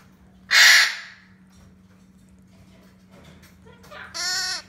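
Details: Hand-fed Red-shouldered macaw chick, young and eating well. A loud raspy burst opens, followed after a quiet stretch by a nasal, harmonic, slightly wavering squawk near the end, with a steady low hum beneath.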